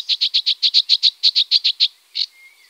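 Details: Great crested grebe with chicks at the Tovačov ponds, Czech Republic, 2013–2014: a rapid, even series of about twelve high, thin piping notes, then one separate note and a faint falling whistle.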